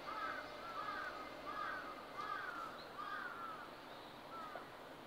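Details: A large-billed crow gives six hoarse caws at a steady, unhurried pace about half a second apart, over soft hiss; the recordist believes this "discovery" call announces found food and summons others, as at early-morning garbage sites.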